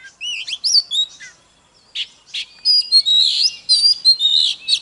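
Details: Oriental magpie-robin singing while dancing, in a vigorous song used to stir rivals into singing. Looping whistles open the song, then after a pause comes a fast, dense run of warbled notes.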